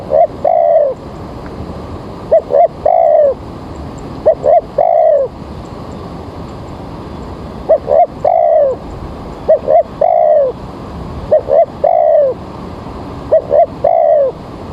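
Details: Spotted dove calling as a lure for bird trapping on an early morning with rain coming: a steady series of phrases, each two clipped coos then a longer falling coo, repeated about every two and a half seconds.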